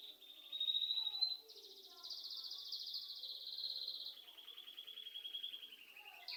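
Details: Indoor bird song at home, made of fast rattling trills held for about a second each. The trills shift upward, then settle lower, and a sharp rising note comes at the end.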